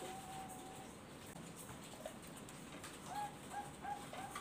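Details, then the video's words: Bangkok zebra dove (perkutut) from a breeding farm, lure song: a drawn-out soft note, then a quick run of short, high, rolling coos, over a steady background hiss. "PANCINGAN SUARA BURUNG PERKUTUT BANGKOK GACOR"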